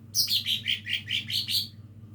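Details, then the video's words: Practice song of a young lesser green leafbird: eight or so loud, high, falling whistled notes delivered evenly and quickly over under two seconds, with a soft low hum behind. "cucak ijo mini belajar bunyi"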